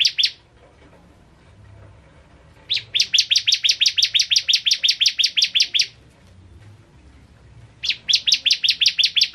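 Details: Bar-winged prinia in lively master song: a phrase ends, then after a long pause a three-second burst of fast, sharp chirps, another silence, and a new burst begins.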